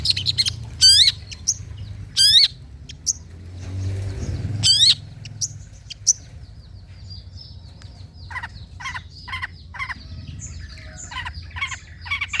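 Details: Long-tailed shrike in material for training birds to sing: several loud, sweeping downward notes spaced about a second apart, a quieter stretch, then a series of short, evenly spaced high chips.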